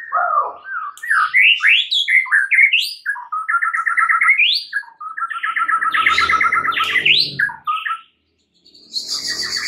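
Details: White-rumped shama song used to provoke other shamas into singing: rapid varied phrases of chattering trills, slurred whistles and repeated buzzy notes, with a brief pause near the end before more high notes.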